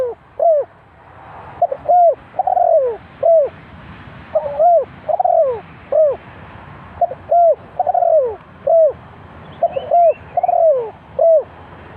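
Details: Trap decoy spotted dove cooing repeatedly. Hollow phrases of three or four notes, each ending in a long falling coo, come in clusters about every three seconds. Faint high twittering of another bird is heard near the end.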